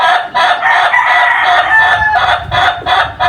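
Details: Chicken giving a long crow: dense, overlapping harsh pulses with some drawn-out tonal stretches, uneven in rhythm, filling all three seconds with little pause.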